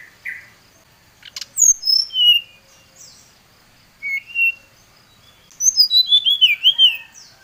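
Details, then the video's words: Brown-chested jungle flycatcher in agitated, rival-calling song: a few spaced, sweet whistled notes, a brief pair of phrases midway, then a rapid rippling series of high descending whistles. "Suara Pancingan SRDC Gacor | srdc memanggil lawan | srdc gacor Emosi"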